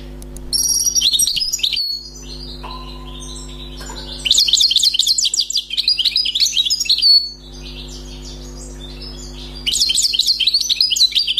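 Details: Recently trapped wild European goldfinch singing several lively phrases of rapid, high, liquid twittering and buzzy trills, with short pauses between, over a faint continuous low hum.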